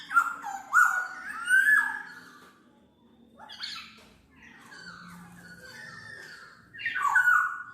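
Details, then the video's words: Black-naped oriole, a bird found across Indonesia, giving harsh, nasal downslurred notes in short bursts, a quieter stretch of softer scratchy notes in the middle, then a loud return at the end. "SUARA BURUNG KEPODANG MAS, untuk masteran/pikat"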